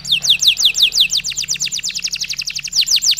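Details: Canary in long continuous song used as a stimulus for stressed canaries; a fast series of descending whistled sweeps, about six per second, running into quicker rattling trills.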